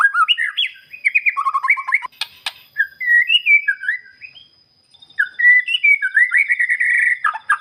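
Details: White-rumped shama singing, played to provoke a silent shama into replying with its full repertoire. Rapid varied whistles and chirpy trills run in busy bursts, with a short quiet gap midway before a rolling, warbled phrase resumes.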